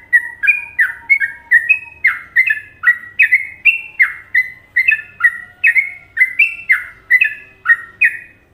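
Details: A long, continuous run of Trucukan-style song from an Indonesian sooty-headed bulbul: fast, bubbling, downward-slurred notes, roughly two to three each second, kept up evenly without pauses.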